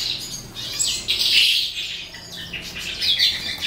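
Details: Eastern calandra lark (Melanocorypha calandra psammochroa) singing at the end of the day, a fast, scratchy jumble of high chirps, rattles and squeaky notes, running on without pause.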